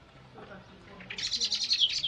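A White Wagtail gives a quick burst of high, sharp chirping notes, about eight in a second, after a moment of quiet background hum.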